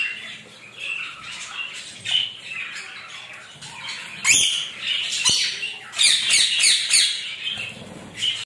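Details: Rainbow lorikeet enjoying a shower, soft chatter building to loud, raspy squawks in quick irregular series, a sharp click midway, water hissing behind.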